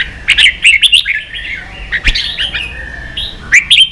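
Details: Red-whiskered bulbul, a kept songbird in Vietnam, provoked into competitive singing: quick bright whistled and chirped phrases, rising and falling, delivered in rapid bursts with short warbled runs between.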